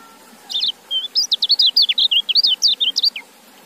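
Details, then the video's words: A white-eye (kecial) sings a quick, high, twittering phrase of varied sweet chirps and slurred whistles for nearly three seconds; no other sounds stand out. "Suara Kecial"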